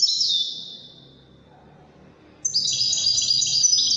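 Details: A European goldfinch in Wedani singing style from Morocco gives a short high twittering phrase that trails off, a pause, then a fresh run of rapid, tinkling, buzzy trills.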